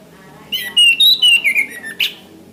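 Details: An orange-headed thrush sings in this recording meant for tutoring caged birds: a string of loud, clear whistled notes stepping gradually lower, ending with one short buzzy note, over a faint low background hum.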